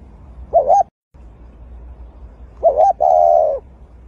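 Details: Dove tending its egg at the nest: a mid-pitched cooing phrase, first a short wavering note, then a longer, steady, slightly falling tone, heard once in full after a clipped fragment, over a low hum.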